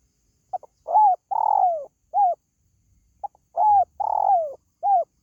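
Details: Spotted dove cooing, a sound meant to attract pet birds. Two full phrases are heard, each opening with brief clicks, then a smooth coo, a long grating descending coo and a final short coo, separated by a pause.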